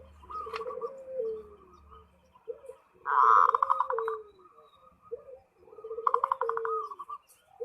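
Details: Perkutut (zebra dove) in full song, calling out to a rival. A faint low hum sits under the opening coos. Loud, rapid pulsed rolls burst out at about three and six seconds between gentler sliding coos.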